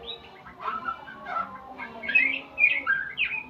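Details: White-rumped shama learning sounds, soft warbles at first, then louder sweet whistled slurs and chirps in three or four quick phrases.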